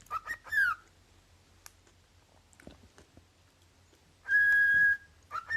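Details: Pet cockatiel calling indoors: short rising and falling whistles, then one long, loud, steady whistle lasting over half a second, followed by more brief whistles.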